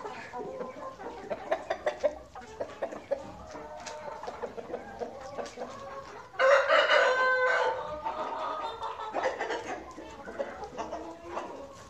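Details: A flock of chickens on a farm toured briefly: sharp, scattered clucks and pecking sounds, then a loud rough crow-like squawk lasting about a second, with chattering calls continuing after it.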